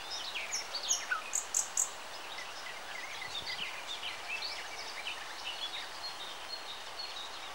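Common nightingale singing: a run of sharp, high repeated notes, then a quick jumble of varied chirps and trills, with other birds faintly behind.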